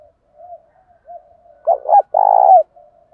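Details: Spotted dove used as a decoy, calling to lure wild doves that answer and coo back in contest; soft low coos, then two loud throaty coo bursts near the end, followed by faint quieter cooing.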